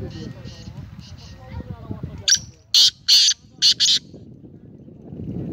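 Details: Kala teetar (black francolin), recorded on 19 April 2020, gives a harsh, scratchy series of four to five rasping notes in quick rhythm. The notes follow softer murmuring and low background rumble.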